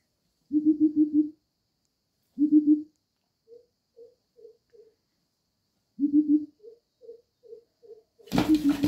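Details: Two greater coucals calling near a window, giving two different calls: deep, resonant hoots in quick bursts of four or five, answered by softer, higher single notes repeated in a short series. A loud burst of noise comes in at the end.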